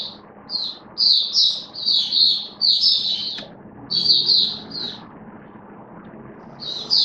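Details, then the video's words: Oriental white-eye kept as a hobby songbird, 19 September 2022: clusters of high, bright twittered notes in quick succession, a short pause, then further chirping phrases over a soft background hum. "Mata Puteh V2 Raja Buka Sing Build Up Form"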